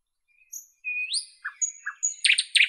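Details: Brief nightingale phrase of thin high whistles and a rising slurred note, followed by a few low clicks and a closing burst of harsh, rapid chirps.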